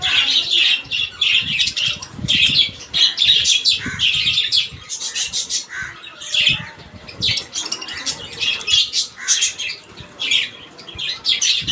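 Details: Colony of pet budgerigars chatter while eating soft food in the morning, with busy, high chirps and warbles in dense overlapping bursts.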